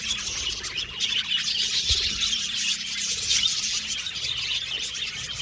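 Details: Budgerigar colony in an aviary, called happy, keeps up rapid overlapping chirps and twittery warbles, high and scratchy, with one short low thump near the two-second mark.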